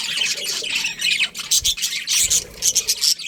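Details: Budgerigars in a colony, including a breeding pair, giving continuous raspy chatter that breaks into quick separate chirps and squeaky notes toward the end.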